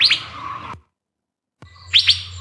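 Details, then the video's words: Fairy bluebird call, played as an example of a sound mimicked by racket-tailed drongos in India's Biligiri Rangan Hills: two quick, sharp whistled notes swooping downward, a silent gap, then a matching pair of liquid, ringing notes. "So here is a fairy bluebird call."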